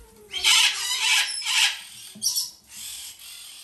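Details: Female lesser sulphur-crested cockatoo chick, bred domestically and hand-fed three times daily, kept in a shop. Gives loud, harsh, raspy squawks in three drawn-out bursts, then a shorter hoarse cry and a fainter trailing rasp.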